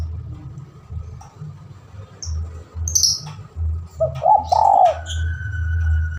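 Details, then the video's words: Spotted dove used as a lure, an active, vocal bird calling a rival: one short phrase of low, rounded, slightly rising-falling coos midway, with brief high chirps from other birds and steady low rumbling noise throughout. "Pancingan burung tekukur gacor manggil lawan"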